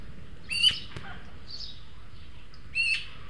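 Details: Young Eurasian magpies at a garden feeder in El Retiro, Madrid, two of them begging from a more grown juvenile. Two harsh, scratchy squawks about two seconds apart, with a sharp click between and faint quieter calls in the background.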